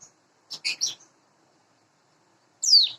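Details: Morning sounds of a hand-raised captive Sunda bush warbler about eight months old: a quick cluster of three or four high chirps, a pause, then a single piercing downward-sliding whistle.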